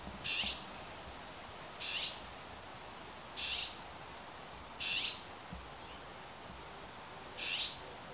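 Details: An azure-winged magpie in a Himalayan cedar gives its ground call, five harsh, raspy calls, each short and grating, spaced about every one and a half seconds over a faint low rumble.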